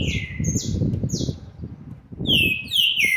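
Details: Young green-winged saltator aged seven months and twenty days, 13 November 2020, delivers a falling whistle, brief high notes, then a strong drawn-out descending phrase over low background noise.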